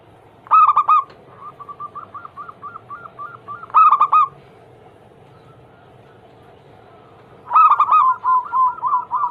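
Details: Zebra dove cooing used to trigger other doves into song. Three loud, rippling coo phrases arrive several seconds apart, each trailed by a string of quieter, regularly spaced coo notes.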